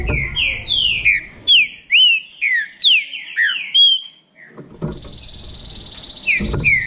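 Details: Green-winged saltator from Bahia in a song contest: a string of bright, downslurred whistles, a pause, then a steady buzzy tone and two more whistles, with background knocks.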